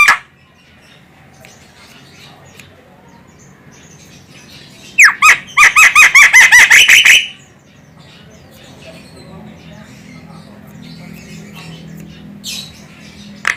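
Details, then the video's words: Javan myna female giving a call used for luring birds: after a quiet start, a burst of about ten rapid, rasping squawks over two seconds, then low background hum with a couple of faint short notes. "suara burung jalak kebo cocok untuk Pikat burung"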